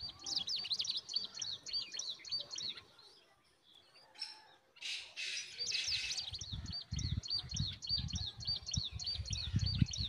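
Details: Hungry bulbul nestlings being fed by their mother beg with rapid, high, thin chirps repeated several times a second, breaking off briefly mid-clip, over low rustling and handling noise.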